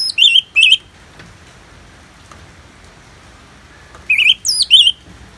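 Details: Orange-headed thrush song from Bali: two short warbled phrases, a quiet pause, then three further looping, slurred whistles at the end.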